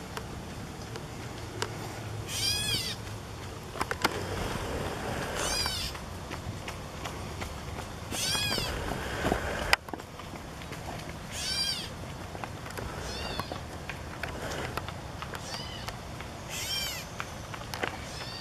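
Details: A catbird near a post on 14 July 2014 gives harsh, cat-like mewing calls, each a grating downslurred note repeated every few seconds.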